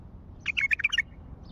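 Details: Wild Baghdad common bulbul giving one brief phrase of five or six quick, liquid chortled notes against steady low background hum.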